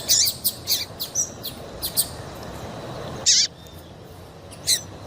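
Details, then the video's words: Female papa-capim call that makes males want to sing: quick high chirps in a loose series, then a single loud looping, wavering note and one last sharp chirp. "MELHOR PIADO DE FÊMEA PARA DEIXAR SEU PAPA-CAPIM DOIDO PARA CANTAR LOGO!"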